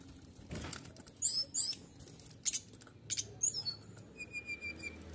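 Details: Canary singing in the 'nembak' style meant to stir up rival birds: brief buzzy high trills and rattles in short bursts, ending with evenly spaced thin whistled notes against faint low hum.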